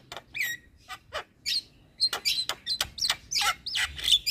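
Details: Javan myna song for tutoring mynas that seldom sing: rapid uneven series of squeaky, scratchy notes and twisting whistles, growing busier and denser toward the end.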